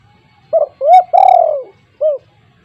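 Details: Spotted dove, a lively caller with a big voice used as a decoy for untamed birds, giving one mellow four-part coo: quick note, rising coo, long falling coo and a detached final note, with a quiet background.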